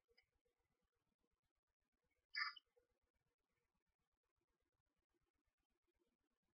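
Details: A single short, raspy chirp with a harsh, harmonic edge from one of two screech owlets, only 1–2 days old, in a nest box while their mother feeds them. Near-silence surrounds it, with faint clicks.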